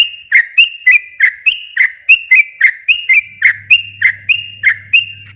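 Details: Sooty-headed bulbul chattering in long, fast 'gacor ropel' style, a recording for stimulating reluctant birds to respond: evenly spaced rising chip-whistles, roughly three per second, each trailed by a brief level tone, with faint hum joining later.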